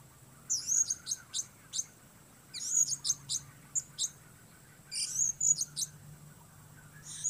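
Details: Blue-crowned hanging parrot giving thin, very high squeaky notes in rapid clusters, a few spaced single chips between bursts, with a faint steady hum beneath.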